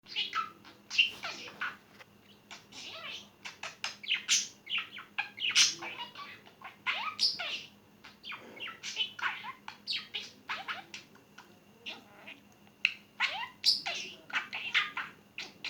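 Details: Pet budgerigar (Melopsittacus undulatus) talking while playing: fast, scratchy warble of clicks, chirps and squeaky mimicked phrases.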